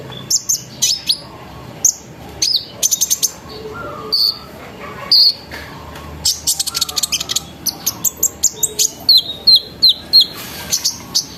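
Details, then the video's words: Sunbird in energetic 'ngeriwik ngerol nembak' song, played as a lure so other sunbirds start singing: bursts of very high rapid trills, clipped chips and brief descending whistles with short pauses between. "PANCINGAN KONIN NGERIWIK NGEROL NEMBAK GACOR BIKIN KONIN LAIN IKUT BUNYI"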